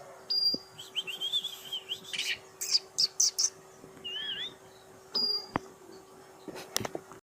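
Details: Oriental magpie-robin, kacer poci, natural song: a few wavering whistled phrases and sharp high notes separated by pauses, over steady background hiss with occasional clicks.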